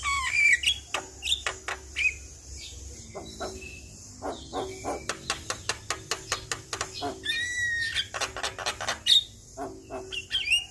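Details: Rattling song of a Javan myna meant to lure a stressed bird into singing: a long run of regular dry clicks, about three per second, broken by bright slurred whistles and hoarse notes.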